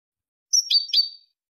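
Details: European goldfinch in the Malaga song style used to tutor chicks and hybrids; one brief bright twittering phrase of two quick buzzy notes, under a second long, on a silent background.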